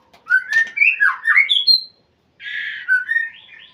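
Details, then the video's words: A white-rumped shama calls out to a rival in a bright run of fluty, swooping whistles. After a short pause comes a buzzier, warbled phrase. "murai memanggil lawan"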